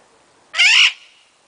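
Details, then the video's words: Pet Illiger's macaw in a wild mood, giving a single harsh, raspy squawk about a third of a second long, abrupt and loud against a quiet background. "Illiger's wildside comes out"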